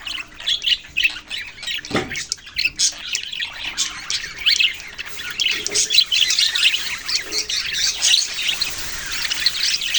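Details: Budgerigar chirping starts in separate, rising squawky notes and builds into a thick, overlapping chatter. A soft thump comes near the two-second mark.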